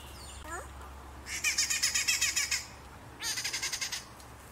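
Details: Duelling Rufous-naped wrens, birds found in fields and cities. Two loud bursts of grating, evenly pulsed chatter, each about a second long and separated by a short pause. A few thin descending notes come first, over a steady low background hum.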